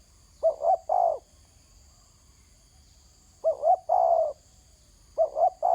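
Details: Spotted dove on the ground gives its coo phrase, two short notes and a longer one, with a pause of about two seconds between phrases, three phrases in all, faint insect sound behind.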